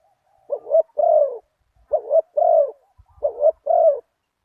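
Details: Spotted dove with a deep one-kuk voice during decoy luring at spot 37, following a target bird: three evenly spaced phrases, each a short rising coo followed by a longer falling one, with faint taps between.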